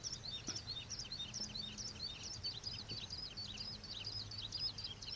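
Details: Juvenile common waxbills (Estrilda astrild), introduced in Taiwan, at a wetland near the old iron bridge in Pingtung, 23 June 2021: dense, high twittering of thin chips and tinny notes, several each second, over faint low hum.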